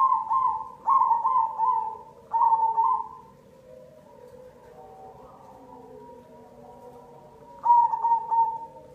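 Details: Cemani zebra dove singing as a lure to prompt other doves to sing; loud, mellow trilled coos near one pitch appear in bursts at the start, fade to soft background cooing, then return strongly near the end.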